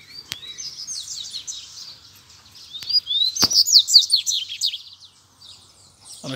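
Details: Double-collared seedeaters, a caged male and two loose birds nearby, in a fighting challenge: two buzzy twittered phrases with rising whistled slurs, broken by sharp clicks, the second phrase louder.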